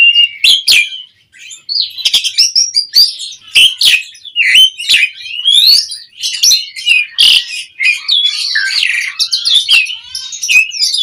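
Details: Asian pied starling song as a lure for other birds: long run of sharp clicks interleaved with squawky and whistled phrases, repeating in uneven bursts with short breaks throughout.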